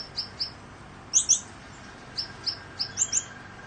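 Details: Several male and female Gouldian finches, recessive dilute-back and blue birds, give thin, very high chirps, singly and in quick pairs, about a dozen in a few seconds; a fan hisses steadily behind them during a 40°C heatwave. Wolf whistles may come from a hand-raised white-breasted blue.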